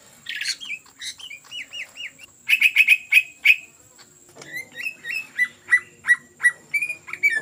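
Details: Greater green leafbird in ngetrok song as a lure: varied whistles and a loud, clipped rattle of repeated notes, then a pause and a chain of about ten evenly spaced sharp slurred notes.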